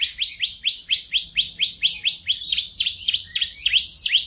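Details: Canary master song for training: a loud, rhythmic trill of high notes, each sweeping sharply down then up, repeated about three times a second.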